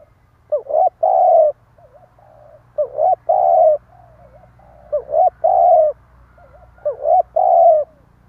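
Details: Spotted dove used as a lure, repeating its stuttering coo four times, roughly every two seconds: a brief upward flick, a short coo, then a longer steady low coo, with soft quavering notes between phrases.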